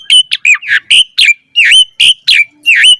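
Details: Asian pied starling in full, varied song used as a master recording to train other starlings: loud whistled notes sweeping down and rising, with harsh chattering phrases, in bursts about every quarter second.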